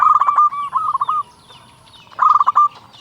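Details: Local zebra dove singing loudly, used as a lure to rouse captive doves into song; quick rolling cooed phrases, a pause, then another short bubbling phrase.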